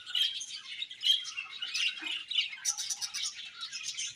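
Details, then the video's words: Budgerigars in a colony chirping together: dense overlapping high chatter of warbles and short squeaky notes, continuous with rising and falling loudness, no other sounds. "Beautiful Budgies Chirping Sounds"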